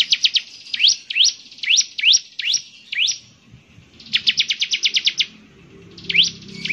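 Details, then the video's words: Song of a bar-winged prinia: quick chips, a series of rising upswept whistles about every half second, then a rapid burst of high notes and another upslur. "ciblek semi gacor, suaranya yang KHAS bikin ciblek semi IKUT bunyi"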